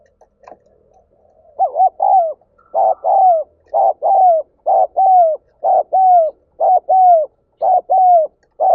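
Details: Spotted dove calling to stir up other doves: a steady run of paired coos, a short blunt note followed by a longer down-slurred one, repeating about once a second after a quieter start.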